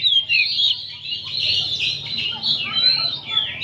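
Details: Crowd of oriental magpie-robins singing in the afternoon for training, thick overlapping high whistling and warbling without pause, swelling and fading, some sliding notes standing out, low hum underneath.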